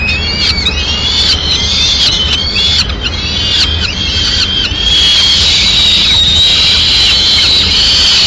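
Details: As a female peregrine falcon brings a pigeon to its Madrid nest on 6 May 2016, quick rhythmic chattering wails repeat nearly twice a second, then merge into one continuous harsh drawn-out call.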